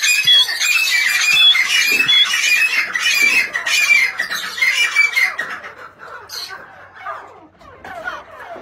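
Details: Grey francolin uttering rapid, shrill, grating notes in a continuous run for about five seconds, then fading to softer scattered squeaks.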